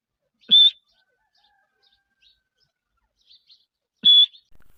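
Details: Grey francolin female, described as a Taunsa dakni teetar, utters two loud, sharp whistled notes about three and a half seconds apart, with faint chirps between them in an otherwise quiet setting.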